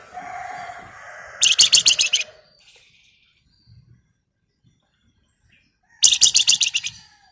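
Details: Flamboyan female calling the male: two bursts of fast, raspy, stuttering chatter about four seconds apart, each close to a second long, with a softer hum at the start.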